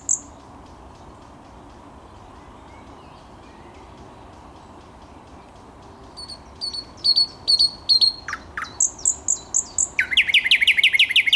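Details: Thrush nightingale song recorded 10 May 2021. Quiet at first, then a strophe builds from spaced high piping notes into faster paired notes, two low falling notes, and a rapid, even chattering series at the end.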